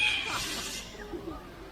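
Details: A sulphur-crested cockatoo at a bird show at Jurong Bird Park, Singapore, gives one harsh, raspy screech lasting under a second, then fades into a low murmur of show background noise.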